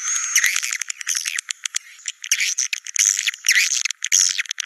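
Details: Swiftlet sound, Naga Merah style, used to call swiftlets to nest sites: bursts of high buzzy chatter broken by sharp dry clicks and short gaps.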